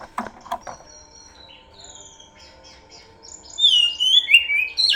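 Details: Oriental magpie-robin lure song: after a few knocks and soft high whistles, a loud, fluid warbling phrase of looping, descending whistled notes swells near the end.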